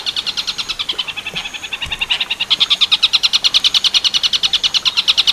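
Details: Long-tailed shrike, tengkek buto werkudoro style training song: an uneven opening of scratchy notes, then a strong steady run of rapid buzzy pulses.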